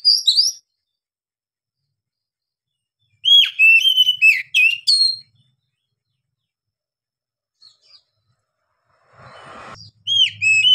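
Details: Oriental magpie-robin giving long-breathed lure song meant to rouse a non-singing bird: short bursts of bright whistled, twisting notes separated by silence, with a brief rustle before the last phrase.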